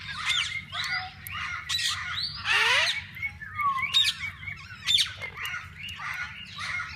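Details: Various parakeets in a walk-in aviary at a parrot zoo, where visitors feed and hold them; loud harsh squawks and chattering calls overlap throughout, with a sharp downward screech mid-way and a steady low hum beneath.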